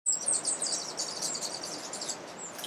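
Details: A Western emerald (Chlorostilbon m. melanorhynchus) gives a rapid run of very high, thin, dry chips, several per second, over a steady background hiss; Alambi Cloud Forest Reserve, Ecuador, May 2012.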